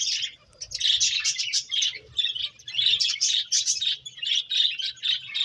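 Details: Playing finches keep up busy, high-pitched chirps almost without pause, short bright notes tumbling over each other in quick succession across five seconds.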